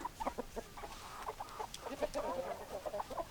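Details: Chickens clucking closely, a run of short clucks leading into a longer wavering cackle from several hens.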